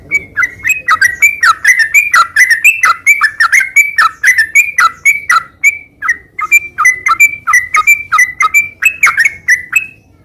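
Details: Sooty-headed bulbul singing nonstop in ngeropel style: ten seconds of short, clear slurred notes alternating high and lower, delivered at a brisk, slightly uneven pace against a quiet background.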